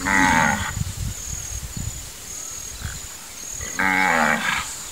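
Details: Wood stork, known locally as cabeça-seca, a fishing bird of the Brazilian Pantanal, giving two loud, hoarse, harmonic braying calls, each under a second, at the start and near the end, over a steady high insect hum and low rumbling.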